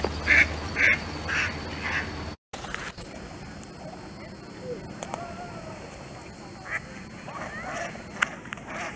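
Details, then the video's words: Mallards on ice in winter quacking in a loud conversation before flying off; a run of harsh, repeated quacks at the start, then quieter scattered calls over steady background hiss. "Ducks Having a Conversation and Flying Away"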